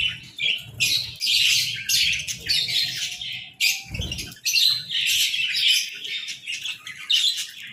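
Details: Morning budgerigar chirping from a group of birds, in bursts of busy, high-pitched twittering and scratchy warbles lasting about a second each, separated by short lulls, with a dull knock near the middle and faint background rumble.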